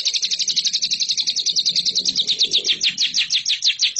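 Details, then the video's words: Lovebird training song for competition birds: a run of quick, sharp, downward-sweeping chirps, repeated at a steady fast pace throughout, slightly slowing toward the end. "MASTERAN LOVEBIRD RAHASIA BURUNG JUARA"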